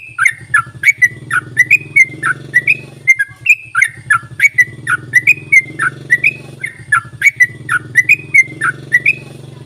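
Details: Yellow-vented bulbul calling, used as a lure to get reluctant bulbuls to sing: bubbly, liquid whistled notes in quick, uneven bursts, some rising and some falling, over a steady low mechanical hum.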